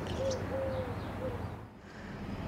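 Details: Eurasian collared dove (Streptopelia decaocto) giving its soft three-note coo, short, long drawn, then brief, on a morning street walk in La Jolla, San Diego, California, in September, over low rumbling background noise.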